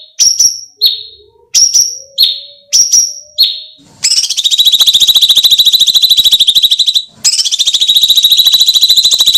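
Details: Sooty-headed bulbul (cucak cungkok) training recording of eerie screams: several short shrill notes falling at the end, then two long loud buzzing, grating screeches separated by a brief pause.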